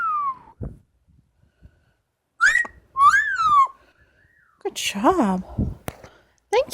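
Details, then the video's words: Female Amazon parrot kept as a pet, producing a varied run of sounds: a short falling whistle, bent whistled notes, stacked nasal squawks and sharp clicks. Scattered quiet gaps come between the sounds. "The many sounds of Lily, an amazon parrot"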